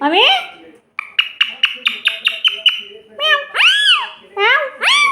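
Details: Parrot mimicking a cat's miaow: an opening meow-like call, a rapid train of about eight clipped chirps, then three loud, arching, nasal meows in a small room.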